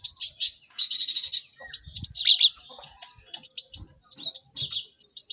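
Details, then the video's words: Many cinereous tits calling together, played so caged birds learn to sing fast; overlapping high chirps, quick trills and repeated sharp notes throughout with brief low thumps. "Pacingan gelatik batu ramai untuk maksimalkan burung belajar cepat bunyi"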